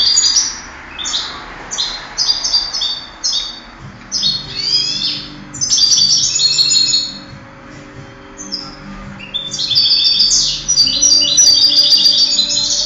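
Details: European goldfinch in a 2008 singing contest, pouring out a long run of rapid, bright twittering and tinkling phrases, broken by short pauses, loud and close, with a low hum underneath.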